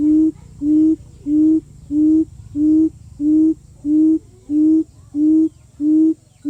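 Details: Quail calling as a lure: a steady series of about ten deep, soft hoots, evenly spaced roughly every two-thirds of a second, with a quiet low background hum throughout.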